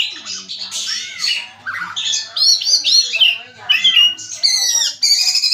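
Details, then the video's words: Varied song of an oriental magpie-robin: fast, tumbling sequences of sweet whistles, sharp chirps and slurred notes in short bursts, some high and thin, others lower and fuller, with a faint low hum underneath. "Burung Kacer"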